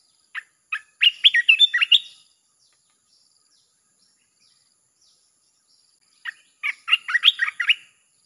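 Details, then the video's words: Lure song of a red-whiskered bulbul for calling in wild birds: a couple of lead-in chips, then a fast run of bright whistles, repeated after a four-second pause. "เสียงนกกรงตาแดงEp.158 สับไม่หยุด!! เปิดล่อนกป่าเข้า100%"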